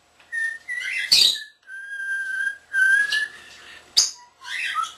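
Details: Pet common starling, a male not yet a year old, mimicking indoors: long pure whistled notes held steady or sliding upward, broken by sharp clicks and a brief buzzy chatter at the end.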